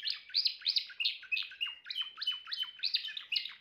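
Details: Timbrado canary singing a fast series of repeated sweeping notes, each phrase dropping and rising again about five times per second, in a loud, steady, rolling warble.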